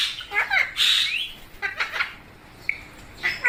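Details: Parrot calling: a few rough squawks and chattering notes, then brief bent whistles and one sharp chirp near the end.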